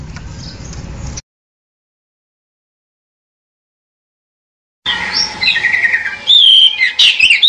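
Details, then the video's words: Pied bushchat heard after a silent gap, with short noisy sound first, then a rising burst of bright looping whistled notes. "SUARA BURUNG DECU"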